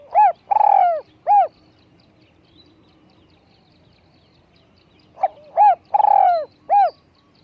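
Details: Spotted dove calling: two bursts of rich, harmonic cooing notes, each burst a short note, a longer falling coo and a closing note, separated by about four seconds of near silence with a faint low hum.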